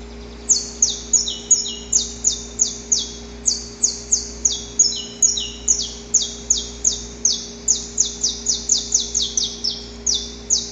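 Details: Male saffron finch recorded in the wild, singing its long, harsh pre-dawn song while courting a female: a steady run of high, sharp, downslurred notes, about two per second, some paired with a lower echoing note, over a faint low hum.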